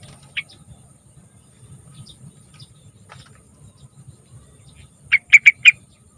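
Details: Sooty-headed bulbul song as a lure for young bulbuls: one isolated note, then after a long quiet stretch a fast burst of four bubbly whistled notes near the end.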